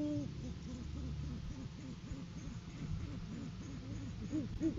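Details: Great horned owls on a live farm camera, January 7, 2023, courting season, as the male brings a food gift to the female: low, soft hoots come in a rapid, overlapping run, one after another with barely a pause.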